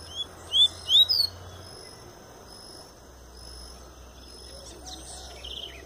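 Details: Double-collared seedeater coming out of molt, Tui Tui song style: three clear, high, rising whistled notes about half a second apart, then near quiet with a faint chirp at the end.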